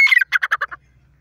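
A partridge gives a harsh, squawking opening note, then a quick run of five grating notes that fade away, all in about a second.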